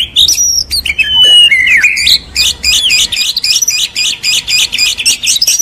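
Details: Champion white-rumped shama singing vigorously: loud varied whistles and slurred phrases that drop in pitch, then a fast series of repeated buzzy, chattering notes at about four per second.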